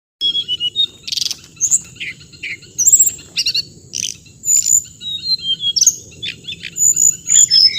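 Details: Bird singing in rapid high chirps and short sharp twittering notes in quick bursts, with a steady high insect-like hum underneath and faint low background rumble.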